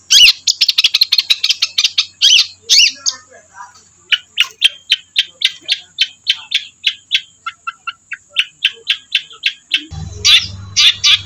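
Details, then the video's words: Long-tailed shrike giving a rapid, scratchy run of high chattering notes, then a string of sharp repeated chips, with a thin steady whine and a low hum near the end. "suara burung Cendet"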